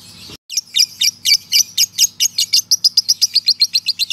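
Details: Male lovebird ngekek, a long trill meant as training master: after a short silent gap, a rapid run of high, clipped chattering pulses starts and keeps an even, quickening beat, over a faint low hum.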